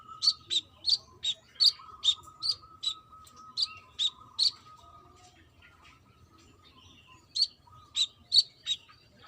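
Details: A female brown-throated sunbird calling for the male gives quick, spiky high chirps, falls silent for about three seconds, then resumes the series.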